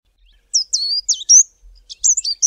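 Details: Fairy Flycatcher in the southern Karoo sings a very high, thin song of squeaky, twittering notes and quick sliding whistles in two short bursts, with no other sounds.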